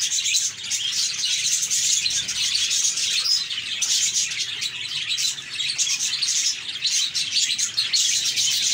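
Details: Flock of pet budgies chattering together, sounds meant to cheer lonely parakeets; steady mass of high twittering and warbled chirps from many birds, overlapping, with occasional sharper squeaks standing out.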